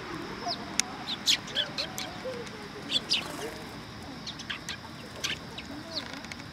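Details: Sparrow, described as a cute newcomer, at Tenmangu shrine on 12 September 2022; short, sharp chirps come irregularly, some in quick pairs and small bursts near the start and middle, over a steady background hiss.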